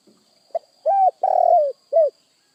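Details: Spotted dove calling: a short soft note followed by three mellow, hollow coos, the middle one longest and falling slightly at the end, with a faint steady high tone in the background.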